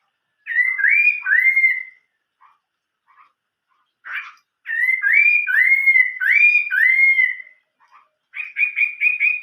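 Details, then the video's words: Old-forest style song of a Chinese hwamei, built from rising slurred whistles repeated in quick bursts of three or four, separated by short quiet gaps with faint notes, ending with a fast run of even whistled notes. "chim họa mi hót giọng rừng già"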